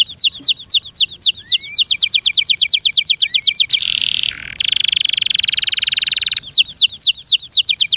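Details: Kept canary singing energetically: rapid repeated falling chirps, a buzzy roll and long even trill, then a return to fast, sharp, descending chirped notes, all loud and high-pitched.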